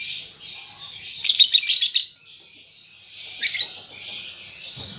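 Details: Juvenile lovebird practising ngetik and ngekek chatter: a continuous high, scratchy twitter that swells into a dense, rapid burst of chips midway, then a second louder flurry before settling back.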